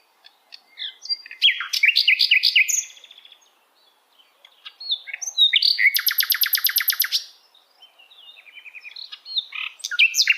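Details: Wild nightingale singing varied high phrases of rising and falling whistles and chirps, pausing, then a rapid run of about fifteen identical repeated notes, followed by more quick twittering phrases.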